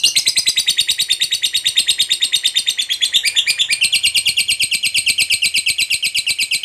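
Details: Lovebird giving a long chattering call to summon companions: rapid, harsh, high-pitched notes repeated about three times a second in an unbroken buzzy stream.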